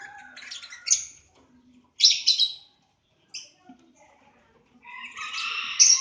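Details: Lovebirds in a breeding aviary in Aceh give harsh, high-pitched squeaks and squawks in separate bursts with short silences between, ending in a louder, sustained shrill chattering.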